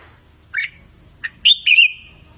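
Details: Red-whiskered bulbul song for training birds to sing: a short sequence of clear whistled notes, a brief chirp, then a sharp rising whistle that settles into a sustained steady tone, over a low background hum.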